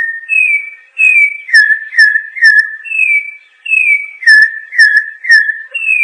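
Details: Campo troupial song: loud, clear whistled phrases alternating between a higher and a lower note, falling slightly, delivered in repeated bursts of about three to four notes per phrase, with a faint high ringing note at times and a quiet background.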